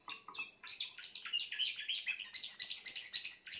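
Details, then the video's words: Song of a grey Timbrado canary, opening with a few soft notes before a steady, fast series of rolling, metallic chirps, about four per second. "chant d'un canari timbrado gris"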